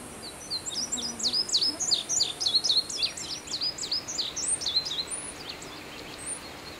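Indigo Bunting: a fast run of high, sharp sweeping notes, many swooping down then up, packed closely together for several seconds over faint background hiss.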